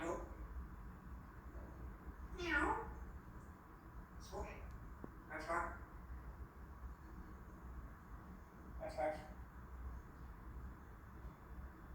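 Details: Pet African grey parrot asking for a head scratch mimics cat meows and speech, such as hello, giving about four drawn-out, wavering calls a few seconds apart over low room noise.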